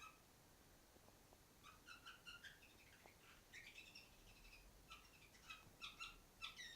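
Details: A pet female canary sitting on top of the furthest cage sings soft, scattered chirps and short twittering phrases, a few notes each second, growing a little louder toward the end over a faint background hiss.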